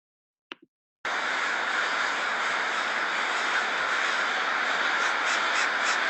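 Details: Many American Crows gathering at a communal night roost in Bothell, north of Seattle, cawing at once, harsh overlapping caws blending into a steady wall of sound after a brief opening call.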